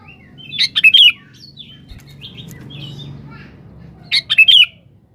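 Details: Sooty-headed bulbul in full song calling a rival, used as a lure: a chirpy whistled phrase of several notes, fainter soft notes in between, then the phrase again about three and a half seconds later, over a low hum.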